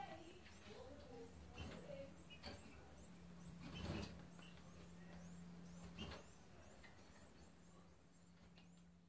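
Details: Green-winged saltator (trinca-ferro) chicks being hand-fed give thin, high chirps in quick irregular bursts, with a steady low electrical hum and some soft handling noise.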